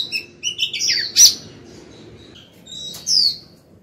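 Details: Female white-rumped shama singing to call the male: bright whistled notes and short slurred phrases in quick bursts, a pause, then a clear descending whistle near the end.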